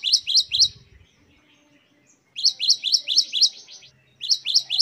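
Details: Great tit performing 'wucit-wucit' song for tutoring, high chipping two-part notes rattled off in three quick series, with a short quiet gap and faint low murmur in the background.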